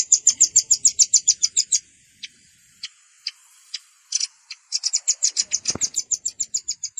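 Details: Velvet-fronted nuthatch lure recording mixing adult and juvenile calls, used by bird trappers: very high, rapid chipping trills, about three notes a second, break into scattered single chips midway, then resume as a fast even run.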